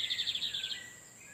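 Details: Lined seedeater song from males exchanging phrases near an incubating wild female: a single quick trill of rapidly repeated buzzy notes, fading into a faint slurred whistle.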